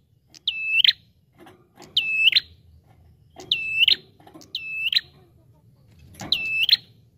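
Bar-winged prinia giving five loud, shrill, buzzy notes, each a high flat trill with a sharp upward flick, spaced about every one and a half seconds.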